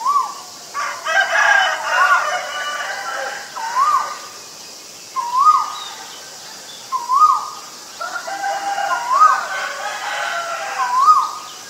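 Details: Male Asian koel calling: a series of about seven short, rising, upslurred notes repeated every one and a half to two seconds, over a steady high insect hum with faint chatter from other birds.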